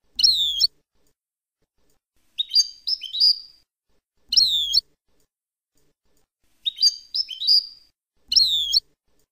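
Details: European goldfinch singing a Palestinian-style song kept for training young birds; clear high twittering phrases with sharp descending notes, grouped bursts separated by silent gaps, repeating about every two seconds.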